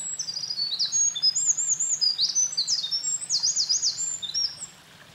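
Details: Wild Eurasian wren in full song at a mountain pass, 28 April 2024, after carrying nesting material: a long, fast, piercing outpouring of high twittering notes and buzzy trills lasting over four seconds before fading to quiet.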